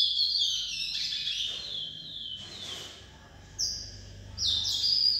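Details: Young chestnut-bellied seed finch (curió) listening to a tutor: clear, high whistled phrases, sliding and warbled, in bursts with brief pauses, over light background hiss.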